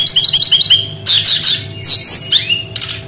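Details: Brown-chested jungle flycatcher song in 'tembakan' style, opening with a quick string of short chirps, then louder sharp downslurred whistles and upswept notes in rapid bursts.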